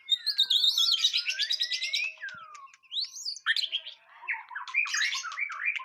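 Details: White-rumped shama song, a dense run of fast varied warbled phrases, long falling whistles and scratchy trills, with shifting pitch and no pause.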